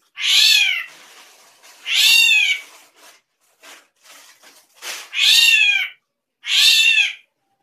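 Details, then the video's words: Unusual drongo sounds: four strong, nasal, meow-like calls that bend downward, spaced by faint clicks and soft rustling. "SRIGUNTING KRANTIL SUARA ANEH"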